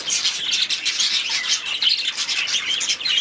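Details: Budgerigars in their aviary producing a bright, busy chorus of high chirps and buzzy warbles, closely packed and continuous.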